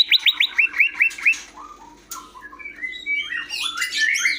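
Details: Greater green leafbird singing: a quick string of seven bright, upswept notes opens, then softer whistles and a scratchy, rising chatter, with a low constant hum behind.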